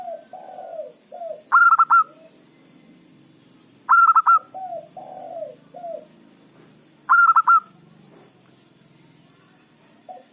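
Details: A local zebra dove used as a lure to draw in rival birds. Loud, quavering four-note bursts repeat roughly every two and a half seconds. Each burst is framed by soft, low, rolling coos over a steady background hum.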